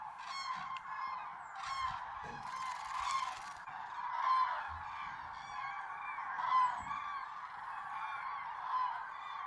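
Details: Common cranes trumpeting at golden sunrise in the Tister Bauernmoor, with much water and cloud and fewer cranes than usual: a steady, overlapping chorus of loud, rolling bugles, with a brief rustling burst of noise near the start.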